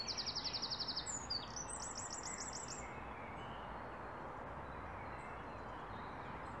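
A winter wren gives a fast, high ticking rattle of about a dozen notes in one second, then a few thin, higher notes, over steady background rush.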